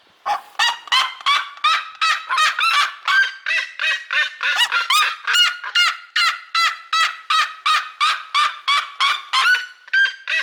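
Seriemas give a loud, rapid series of harsh, yelping screams, nearly three a second. The cries are steady and strongly harmonic throughout, with no other clear sounds.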